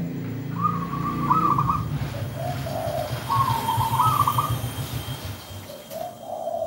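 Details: Local wild zebra dove's rolling coo song, two pulsed phrases then softer lower notes, heard through heavy low rumbling noise and steady hiss.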